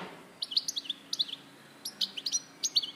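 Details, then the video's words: European goldfinch recorded in Larache in 2014: bursts of bright, tinkling high chirps and short slurred notes in quick twittering phrases, with a brief pause between groups. "Jilguero Larache 2014"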